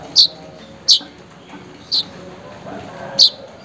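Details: Weaver call to a rival or mate, meant to restart a silent bird's singing: four loud, high, clipped chips at uneven intervals over soft background noise.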